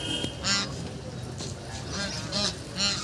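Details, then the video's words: Ducks playing on a lake, uttering short, harsh, nasal calls in quick bursts roughly every half second, over a background of low murmuring noise. "Ducks playing and making noise in lake"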